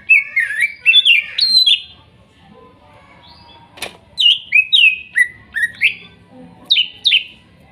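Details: Forest-sourced greater green leafbirds from Kuningan, with song offered as therapy for a silent bird. Loud, clear whistled phrases of downward-sweeping notes come in clusters of three or four, with a pause and one sharp click midway.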